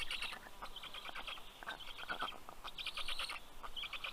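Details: Black stork nestlings at a nest in southern Estonia, greeting the male bringing fish on a June late morning; dense, harsh, crackling chatter and hissing bursts fill the recording with low rumbling background.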